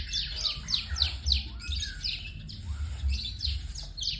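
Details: White-rumped shama singing fast, bright, descending whistles that run together in quick bursts, broken by a brief pause midway, with a continuous low droning background and faint thudding.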